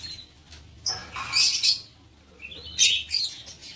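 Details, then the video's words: Breeding-aviary lovebirds give high, piercing chattering chirps in two loud clusters, about a second and a half apart, with a few thinner squeaks between. "Ternak Lovebird"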